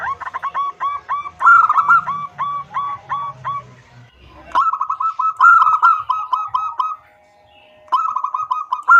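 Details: Female zebra dove calling to a male: three bouts of brisk, evenly spaced hooked coos, each run of about eight to ten notes, separated by quiet gaps, with a faint low hum under the first bout.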